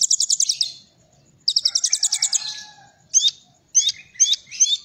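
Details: Kolibri ninja song with cililin material: two quick high trills, then four sharp separate hooked notes that drop and rise, each sharply whistled.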